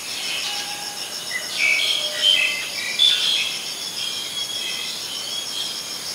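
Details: Black-collared starling at Ubon Ratchathani, Thailand, 10 February 2023, giving several short, clear whistles and scratchy notes in the middle, set against a dense, high insect drone.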